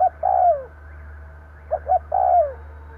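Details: Decoy spotted dove call for luring wild birds. A falling coo ends, then a new phrase follows: two quick notes and a smooth, drawn-out coo sliding down in pitch, over a steady low hum.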